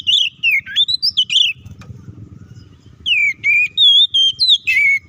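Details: Oriental magpie-robin in a fighting song used as provocation, with swooping whistles and quick chips. A brief lull with low rumbling follows, then clear level whistles and sharp notes resume.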